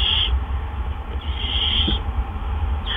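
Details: Barn owl at a nest on an April evening during a gopher food delivery; two drawn-out rasping screeches separated by a pause, with a constant low background hum.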